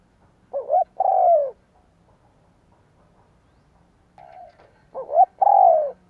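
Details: Spotted dove cooing to draw in wild doves: two phrases of wavering, stuttered notes, each ending in a full, falling coo, with a soft coo before the second phrase.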